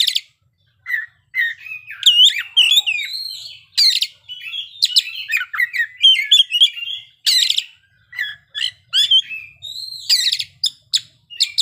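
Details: Oriental magpie-robin singing its learned fill-in phrases in full play: lively bursts of twisting whistles, chirps and sharp notes separated by short pauses.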